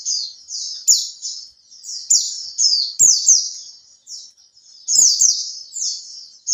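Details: Lure song of a caged pleci, the Oriental white-eye, kept three months and learning 'buka ekor': near-continuous high twittering, sweet descending chirp notes strung together, occasional faint taps.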